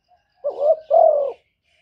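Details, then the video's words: Spotted dove cooing in the 'thổ thúc' voice to provoke wild doves: a single phrase of a wavering rising hoot running into a longer, steady falling coo. "cu gáy giọng thổ thúc gù + gáy gọi giọng rất chuẩn để kích bổi"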